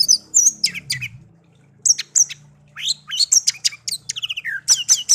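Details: Hand-raised pet songbird, kept one year after being taken young from a garden; energetic, melodious song of high sweeping whistles, downslurred notes and fast chattering trills in several bursts, with faint low hum beneath.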